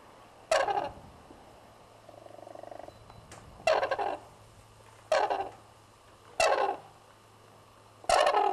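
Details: Red-crowned crane (Grus japonensis) at Pensthorpe Conservation Centre, Norfolk, UK, gives five loud, harsh trumpeting blasts about every second and a half, with a softer, steadier note between them over a low hum.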